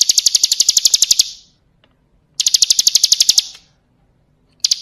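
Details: Bar-winged prinia (ciblek kristal) training song: quick bursts of about a second of loud, high, clicking trill notes, about eleven per second, with quiet gaps and a third burst starting at the end.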